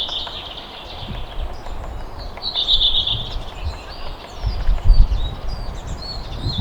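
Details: Waxwings in Finland (tagged Lahti) give thin, high, sibilant trills that run almost continuously, with one brighter burst in the middle, over heavy low wind rumble.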